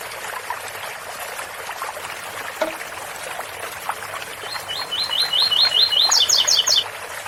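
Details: Double-collared seedeater singing the ouro fino style over a steady trickle of fountain water: after a long stretch of running water, a series of rising whistled slurs gives way to about four quicker, higher doubled notes near the end.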